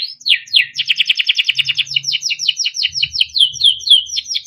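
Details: Timbrado canary, yellow, singing: two downward slurs, then a rapid run of bright repeated notes and a series of swooping whistled phrases, delivered without a break over low faint room noise.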